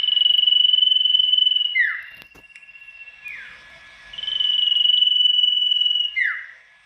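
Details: Loud-voiced tame sirtu singing to lure rivals into answering. Two long, level, buzzy-trilled whistles, each lasting about two seconds and closing with a quick falling slur, separated by a quieter held tone and a sharp knock.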